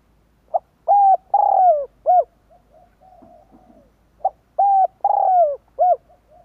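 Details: Spotted dove call used as a lure for wild doves: two phrases of soft mellow coos, each a brief note then three drawn-out hollow coos, the longest falling at the end, with faint low murmuring between phrases.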